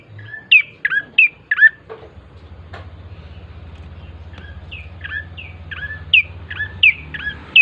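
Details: Bar-winged prinia song used as a lure to make birds sing: sharp descending chirps repeated about once or twice a second, a brief gap, then another string of similar chirps over a low hum.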